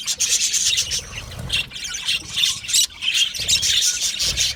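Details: Many budgies chattering in an aviary colony: harsh, scratchy chirps and squawks in rapid irregular bursts, with a few brief pauses and some low thuds.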